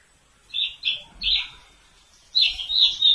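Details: Javan bush lark in Kulon Progo giving loud, buzzy chirped notes in two bursts: three rough syllables, a short pause, then a rapid run of scratchy high notes, set against a quiet background.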